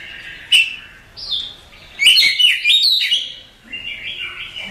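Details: Contest-champion Oriental magpie-robin: a sharp note, a short whistle, then a bright tumbling phrase of slurred chirps, fading into softer warbling.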